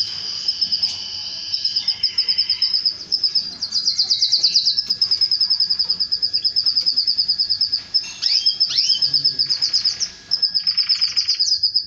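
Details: Canary singing, then mating with its female after hearing this song: long bright rolling trills of rapid evenly repeated notes, broken by quick downward swept chirps and brief buzzy bursts.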